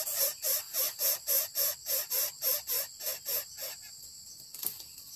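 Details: Baby Greater Coucal, a kept chick, demanding food: a steady run of harsh, breathy hissing rasps repeated about four times a second, then fading into quieter background noise.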